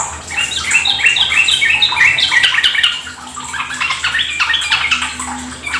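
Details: Trucuk (sooty-headed bulbul) lure recording meant to spur caged birds into rapid ropel singing. Dense overlapping chattering and bubbly phrases, continuous and busy, with a steady water-like hiss beneath.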